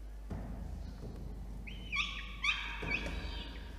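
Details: Peregrine falcon chick in a nest box atop a water tower in Orange, Australia, begging as food arrives on a November 2021 evening; after a quiet start, three loud, ringing, harsh wails follow in quick succession.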